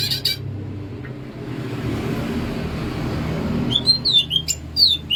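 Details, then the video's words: Greater green leafbird from Banyuwangi, Alas Purwo, singing in the bebeciu style: a burst of sharp high chirps at the start, then a long gap of broad noise, then a quick run of clear whistled notes near the end. "CUCAK IJO BANYUWANGI/ALAS PURWO SUARA Asli BEBECIU"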